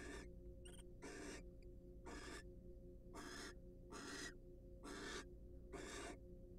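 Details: Rhythmic rasping hisses from wild barn owls during mutual preening and courtship in a nest box, about eight bursts a second apart, opening with a short higher squeaky note, over a background hum.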